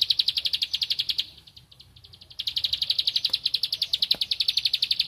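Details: Bar-winged prinia singing vigorously while seeking a rival: rapid trains of sharp, high clicking notes, about ten a second, in a burst, a short pause, then a longer, steady run.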